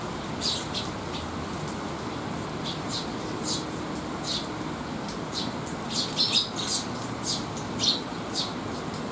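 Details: Young sparrows resting after feeding while sheltering from rain on a rainy day, 8 July 2021: scattered short high chirps, some clustered near six and eight seconds, over a steady wash of rain noise.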